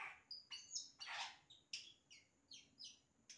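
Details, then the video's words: Yellow-rumped cacique performing imitations, a rapid varied sequence of high pure whistles, falling slurred notes and raspy noisy bursts, delivered in quick succession with brief gaps. "Xexéu Cantando imitações"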